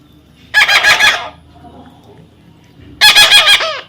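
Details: Two raspy, stuttering squawks from a baby parrot, each made of quick pulses, separated by a couple of seconds of quiet.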